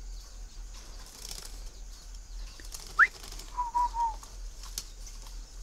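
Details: Tame captive male Chinese francolin in Ba Vì, Hanoi, Vietnam, calling in winter: a short sharp rising note, then two sustained level whistles that fall slightly at the end, over faint background rustling.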